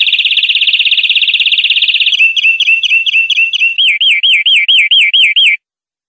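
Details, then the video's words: European greenfinch song from a clean tutor recording used to train captive birds: a fast, dense buzzy trill for two seconds, then rolling looped whistled notes repeated about twice per second, ending abruptly; no background sounds. "Nuevo CD limpio para educar verderones"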